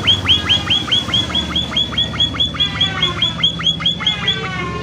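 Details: A munia repeats quick down-slurred chips at a steady pace of a little over two per second, used as a lure so other munias call back. A low hum runs underneath.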